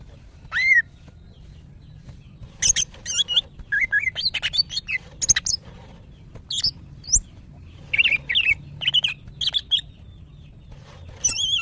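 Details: Female greater green leafbird in breeding condition, calling males. A lone rising whistle opens, then quick chips and looping whistled phrases follow irregularly over about ten seconds, with brief gaps between bursts.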